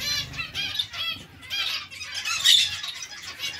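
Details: A zebra finch colony kept with Bengalese finches: many short nasal beeping calls rapidly overlapping, rising in bursts of louder, harsher notes, over faint low rustling.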